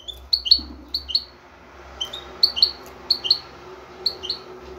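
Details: Male European goldfinch, ready to breed, calling for a female. Crisp paired chirps with quick downward slides repeat irregularly over a low continuous hum and background noise.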